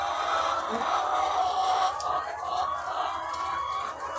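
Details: Thousands of laying hens on a farm produce a steady, overlapping clucking chorus with scattered higher notes, continuous throughout with no pauses.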